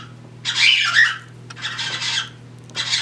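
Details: Three pet cockatiels indoors, two mating and another wanting to join; two rasping squawk bursts followed by a short third, with a constant low electrical hum.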